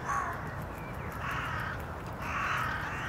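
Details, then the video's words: A hooded crow in Tivoli Landscape Park, Ljubljana, Slovenia, on 15 December 2022 gives three harsh, drawn-out caws about a second apart over a steady low rumble of background noise. "Corvus cornix SIVA VRANA"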